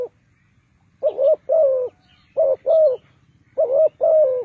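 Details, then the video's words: Decoy spotted dove calling to draw wild birds into a trap. Paired mellow coos come in three phrases about every 1.3 seconds, with each second note longer and falling, over a low rumbling background hum. "Cu gáy Ninh Thuận,The Sound Of Cuckoo Bird่,The Bird Trap"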